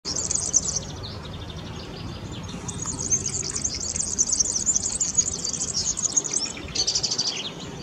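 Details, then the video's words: European serin song recorded in Zamość: a very high, fast, sizzling jingle in long unbroken runs after a brief opening burst, over a faint low background hum. "European serin song Kulczyk śpiew"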